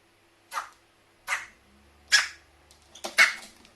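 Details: Carrion crow kept indoors sneezing repeatedly after water got into its nose; four abrupt, noisy snorts come about once a second, the last one doubled into a quick pair, over a quiet room.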